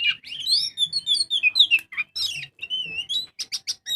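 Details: Oriental magpie-robin singing in the full ngobra style, used as a lure to make other birds sing: fast, varied whistled phrases with sweeping, rising and falling notes and quick chattering clicks, in short bursts with brief pauses.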